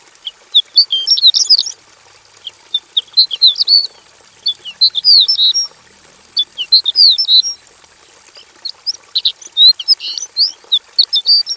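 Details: Caged Javan bush lark in a simple aviary, singing loudly with varied fill-in phrases: quick clusters of sharp, high chirps and twitters in uneven bursts with brief gaps, a thin constant high-pitched whine behind.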